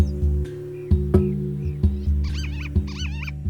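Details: White-tailed lapwing (Vanellus leucurus), apparently the male of a nesting pair in semi-desert near Kyzylagach National Park, Azerbaijan, in spring, gives harsh arched alarm screams at buffaloes and cows approaching the nesting colony, over a low drone.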